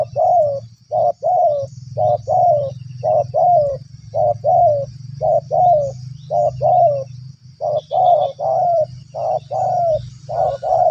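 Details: Spotted dove calling eagerly to a lure: a long run of regular hoarse coos, paired short and longer drooping notes about one per second, over constant low background rumble.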